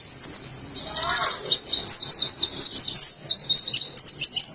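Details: White-eye from Indonesia in ngalas style song: rapid high thin twittering and chirped notes run almost continuously, with a faint lower murmur near the start.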